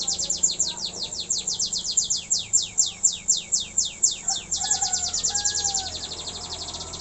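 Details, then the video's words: A canary practising its song delivers a steady series of high notes sweeping downward about four per second, then switches to a faster, tighter trill, with some softer lower whistles underneath. "suara burung kenari belajar gacor"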